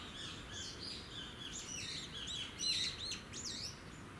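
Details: Hawfinch (Coccothraustes coccothraustes) in Okayama City, Okayama, Japan, on 26 February 2019: sharp, high chirps and short twitters tumbling over one another, as from several birds at once, over a steady low rumble.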